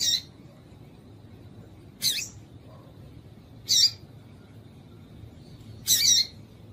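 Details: Four sharp, high chip notes roughly every two seconds from a female double-collared seedeater, whose call is said to make males start singing; quiet hiss behind.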